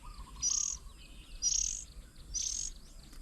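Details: Oriental magpie-robin feeding young at a bird table in Hang Dong, Chiang Mai, Thailand, June 2022: three hissing, rasping high bursts about a second apart over quiet background and faint low coos.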